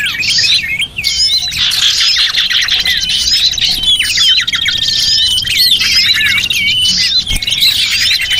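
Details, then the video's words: Small-bird lure call for attracting small birds, filled with a crowded flock chorus: bright overlapping chirps, squeaky slurred whistles and fast trilled runs, steady and loud from start to finish. "Suara Pikat Burung Kecil"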